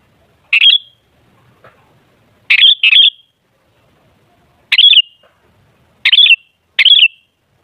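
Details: Sooty-headed bulbul calling as a lure to get other bulbuls singing: short, bright, bubbly bursts of two or three notes, repeated at irregular intervals of one to two seconds in a quiet background.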